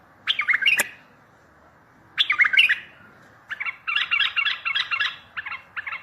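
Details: Bulbul singing to lure other bulbuls for trapping and to make distant birds answer: two short warbled phrases, then a run of quick repeated rolling notes, over a steady low background hiss.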